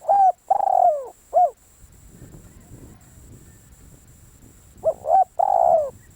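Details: Spotted dove decoy bird giving two cooing phrases of low, husky notes, with a long drawn coo bending downward. Faint low rustling between the phrases.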